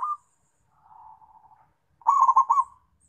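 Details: Zebra dove calling companions, giving one soft rolling, stuttering coo phrase after a faint, drawn-out murmur.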